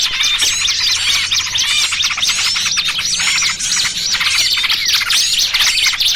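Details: Trapping lure built from small-bird calls, trucukan mixed with trapped small-bird distress sounds: loud, frantic high chirps and squeaky notes overlap in a continuous excited chatter, a faint low drone beneath.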